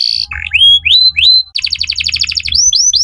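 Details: Canary, given as a Belgian canary singing: loud rising whistled slurs, a buzzy low note, then a fast trill of rapid repeated notes followed by three more upswept whistles.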